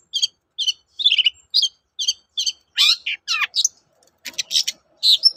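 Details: Long-tailed shrike, a lively singing bird used as a lure to make other shrikes answer; quick series of short chirping phrases repeated about every half second, then denser harsh buzzy bursts toward the end.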